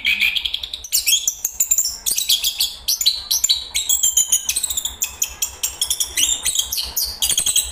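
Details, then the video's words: Chestnut-capped thrush, known locally as anis kembang, singing: a rapid, varied stream of high, sharp chirps and squeaky trills, densely packed with quick notes and short twittering runs throughout. "anis kembang bang jago nyanyi Geokichla interpres"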